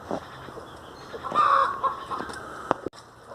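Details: Domestic hen uttering one moderately loud, nasal, wavering call, with faint clicks and scraping sounds around it.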